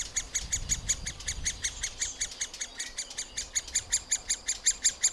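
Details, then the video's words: In a round-holed nest cavity, young middle spotted woodpeckers being fed keep up evenly spaced, piercing high squeaks, about three each second, growing slightly louder toward the end, with little other noise. "Krmení mladých strakapoudů"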